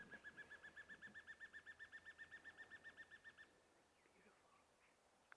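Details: A juvenile Dark Chanting Goshawk perched in a tree at sunset, Rietspruit Game Reserve, Lowveld, South Africa, 25 June 2024, gives rapid clear piping notes, about four a second for three seconds. Juveniles often call to parents for food; this one may be independent.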